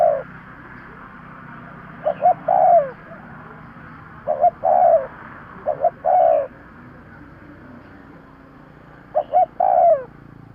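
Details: Spotted dove call for luring birds: three well-spaced phrases of two brief coos and an extended, softly falling final note, over a continuous low rumbling background.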